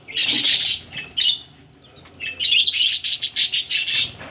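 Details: Budgerigars described as ready for laying eggs, giving a dense burst of harsh, scratchy chirps, a short pause, then a run of rapid, evenly pulsed chattering notes.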